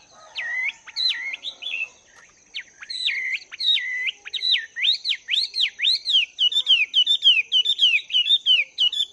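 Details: Morning song from a caged Chinese hwamei, two months out of the wild and practising its voice: hesitant whistles, then an accelerating string of loud, arching, up-and-down whistled notes, almost two per second, against a faint constant high hum.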